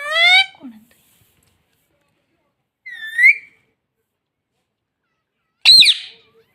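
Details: Talking green ringneck parrot, a pet mitthu tota taught to say mummy, gives three short bursts in a quiet room: a clear two-part utterance, a rising squeak at three seconds, then a sharp click-like call.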